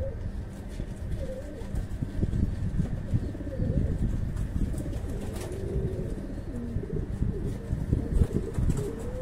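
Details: Fancy pigeons of Indian breeds at a pigeon farm give soft, low, rounded coos that rise and fall, several in sequence, over a strong steady low hum and rumbling background noise.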